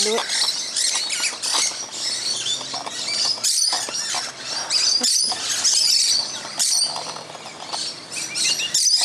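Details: Continuous high-pitched screeching and chattering from many musk lorikeets feeding in a tree on Christmas morning. Brief pauses are filled by patter from falling fruit.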